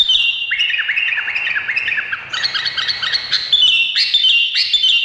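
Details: Indonesian bulbul delivering a quick series of downward-sliding whistled notes that climbs into higher, sharper chirps toward the end.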